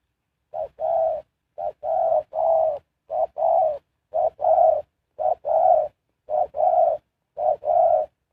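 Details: Spotted dove kept as a lure for wild birds, cooing in a regular rhythm: eight paired phrases, each a brief note then a fuller, longer coo, roughly one pair per second.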